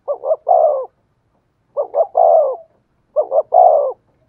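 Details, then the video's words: Decoy spotted dove calling in the 'giọng thổ' voice style: three clean phrases, each two quick clipped coos followed by a longer rolling coo, repeated roughly every one and a half seconds against a silent background. "tiếng cu gáy mồi chuẩn giọng thổ hay"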